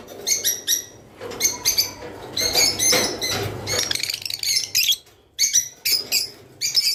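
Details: Rice finch singing to stimulate breeding birds; short high twittering phrases repeat over seven seconds, denser and buzzier in the middle, then choppy chirps again after a brief lull.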